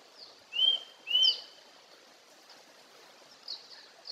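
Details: Wild Eurasian nuthatch singing at Togakushi, Japan, giving two loud, clear whistled notes about half a second apart, each starting with a brief sharp lift, over a steady hiss of running water.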